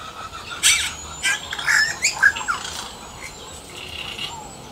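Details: A yellow-rumped cacique (Cacicus cela) singing in the wild, a jumbled run of liquid whistles, gurgles and crackling bursts at an uneven pace, with a soft background hiss.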